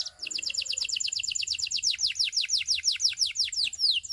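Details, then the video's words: A Russian canary sings a fast, even trill of sharply falling whistled notes, about a dozen per second at first, slowing slightly toward the end, with a soft low murmur underneath. "The Russian Canary Invites All Canaries to Sing"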